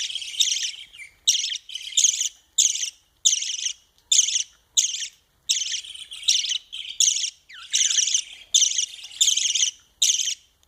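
A budgerigar chick gives harsh, raspy begging calls in rapid bursts while being fed.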